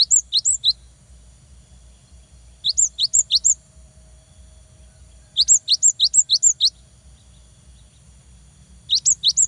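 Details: Energetic cinereous tit song intended to set off young birds singing: four phrases of rapid paired whistles, a rising slur then a shrill high note, repeated at regular intervals of about two seconds.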